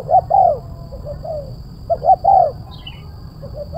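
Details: Spotted dove in the sharp, crisp kuk 1 style, cooing two strong phrases of quick short notes ending in a drawn, falling coo, with softer coos between, a brief high chirp and low background rumble.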